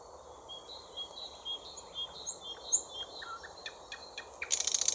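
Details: A thrush nightingale (Luscinia luscinia) sings faint high whistled notes and brief trills, then ends with a loud dry clicking rattle, over a soft hiss.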